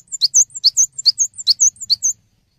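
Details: Loud, clear song of a cinereous tit used to train songbirds: high piercing chirps in quick pairs, each a sharp downward note joined to a thin higher one, repeated about five times in two seconds.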